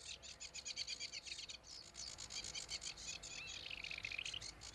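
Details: Sedge warbler song heard from farther off: dry, chattering rattles and buzzes, then a rising whistled slur and a quick lower trill, with a faint steady hum behind.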